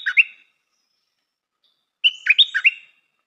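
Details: The tail of one phrase, then a complete bubbly song phrase from a stripe-throated bulbul kept as a new decoy: a whistled start and a fast tumble of liquid notes, with a clean background.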